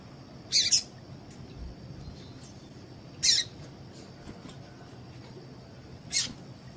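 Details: Female double-collared seedeater calls, used by breeders to excite males into singing for song tournaments: three short, sharp high chirps spaced about three seconds apart over a steady faint hiss.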